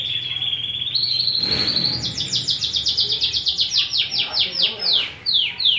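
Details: Persian canary in song: a sustained high whistle rising slightly, then a long rapid trill of repeated downward-sweeping high notes, slowing and dropping in pitch near the end.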